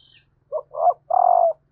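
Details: Female spotted dove calling to excite males: a close, loud three-part coo, a short low note, a swelling second note and a long, slightly wavering hoot, after a brief high whistle from another bird.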